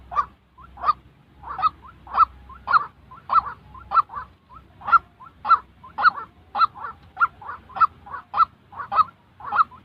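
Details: White-breasted waterhen giving real calls, recorded for trapping enthusiasts to train newly moulted decoy birds without relying on a loudspeaker. Harsh, honking double notes repeat steadily about every 0.6 seconds, some seventeen in a row, with a faint low hum behind.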